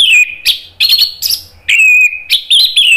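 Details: Loud lure song of an orange-headed thrush, played so listening birds join in: clear descending whistles alternating with rapid scratchy twittering phrases and high thin notes, densely packed.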